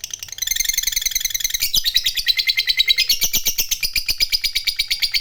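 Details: Lovebird fighter delivering its long 'ngekek' song, meant as a lure for other birds: a continuous, rapid, high rattling trill that grows louder and shifts slightly lower partway through, lasting over five seconds.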